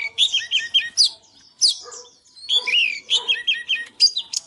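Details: Oriental magpie-robin in high-class song and dance display: rich, varied phrases mixing fluty descending whistles and scratchy notes, delivered in uneven bursts separated by short gaps.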